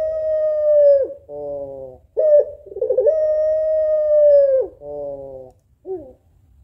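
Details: Puter pelung female African collared dove calling a male, giving two long level coos each ending in a downward slur, separated by short nasal harmonic notes, with a brief falling note at the close.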